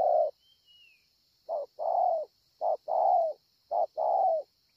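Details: Cooing spotted dove, Ngọc Hồi, 25 March 2020: after a brief falling coo and pause, three short-long coo pairs with slightly sliding tails follow, over a faint steady high hiss and a distant descending whistle.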